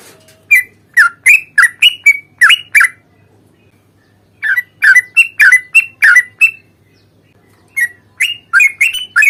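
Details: Yellow-vented bulbul in lively fighting song of the long 'ropel panjang' style, used as a lure to provoke another bird into answering. Bubbly, liquid chattering notes come in fast bursts of about eight, separated by brief pauses, over a faint low hum.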